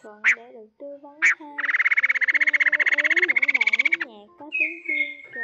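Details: Laughingthrush male and female calling the flock, used for trapping. Two sharp notes come first, then a harsh, rapid rattle of about four pulses a second for over two seconds, ending in a high, steady whistle. Faint music sounds underneath.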